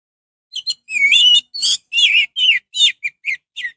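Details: Orange-headed thrush song, used as a lure to stir other orange-headed thrushes into singing: a rapid run of about ten varied, rich whistled and warbled phrases, high-pitched, separated by brief pauses, with no other clear sounds.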